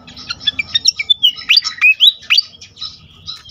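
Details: Song of a pied fantail used as a lure to get other fantails singing quickly: quick chips give way to bright whistled notes sliding up and down, fairly loud, with a faint low hum underneath.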